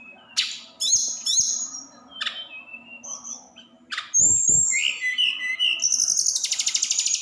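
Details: Snowy-browed flycatcher in a 'roll tembak' style song meant to fire up other birds: bright high whistles and rapid twittering trills, some notes falling, ending in a dense buzzy chatter, with faint low rumbling behind.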